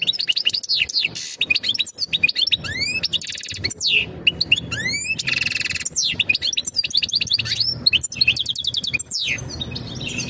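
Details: Goldfinch singing its mating call to prepare a female for breeding; energetic continuous twittering with repeated arched whistles, buzzy rattles and fast trills throughout, over a faint low hum.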